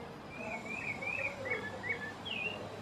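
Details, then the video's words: At the start of spring, in a backyard during light drizzle, a thrush (sabiá) that steals the cats' food and nests in the garden sings soft warbled phrases sliding up and down over a steady hiss. "Olha só, sabiá, que canta pra nós, que dá o seu bom dia."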